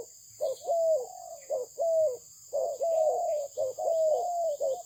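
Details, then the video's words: Spotted dove of Malaysian breed cooing in a lilting pattern, brief notes leading into longer smooth descending coos, repeated in quick succession over light hiss. "លលកធ្នាក់ម៉ាឡេស៊ីពូជល្អ សម្លេងល្អ"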